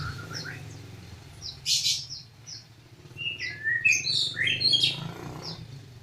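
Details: Magpie-robin giving sparse melodious whistles and chirps, quiet at first, then a livelier burst of bright notes, with a steady low hum behind.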